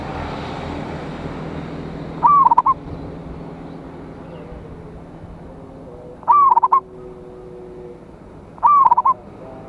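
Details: Local zebra dove (perkutut) as a lure bird calling rivals: three cooing phrases at uneven intervals, each a drawn-out note followed by rapid pulsing coos, with low steady hum behind.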